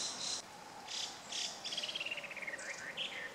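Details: Chinese hwamei (Garrulax canorus) in suburban Hachioji, Japan, 14 April 2013, giving a varied, humorous song: harsh bursts, then a quick falling trill of clear notes and slurred whistles, with a faint steady hum behind.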